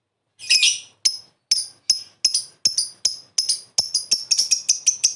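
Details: Lovebird calling to get an answer: harsh, high, screechy chirps repeated at first about every half second, growing faster and closer together.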